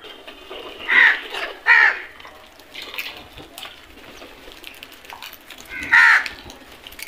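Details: Harsh crow caws: two close together near the start, then a long gap before a third, over faint background noise.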